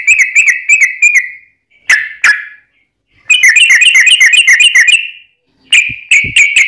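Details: Yellow-vented bulbul fighting song, used as a lure to provoke other bulbuls into answering. Bursts of quick whistled notes near one pitch alternate with a long, rapid, buzzy chattering run and short pauses.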